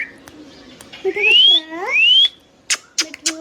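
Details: Tame green ringneck parrot producing two long rising whistles with layered harmonics, followed by short clipped speech-like syllables and clicks.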